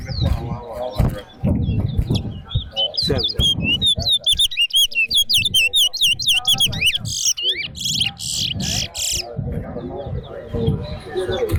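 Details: Chestnut-bellied seed finch (towa towa) at a bird singing competition on a sports ground sings a fast, jumbled run of high, sweet whistles and warbled notes, with people talking and a crowd murmuring close by.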